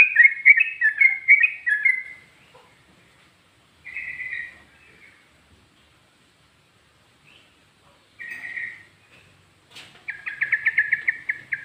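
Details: Short bursts of yellow-vented bulbul song in ropel, ngikluk and garuda styles: a quick bubbling phrase, then brief isolated whistled snatches separated by silence, ending in a rapid trilled run.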